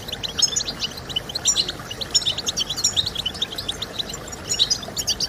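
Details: Goldfinch song used by breeders to encourage singing, a rapid tinkling chatter of short, high twittered notes in bursts, layered and almost unbroken over a soft hiss.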